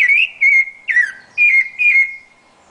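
Rufous-bellied thrush giving five clear, fluty whistled notes, mostly level with a few slurred, rising or falling, about two per second. No other sounds.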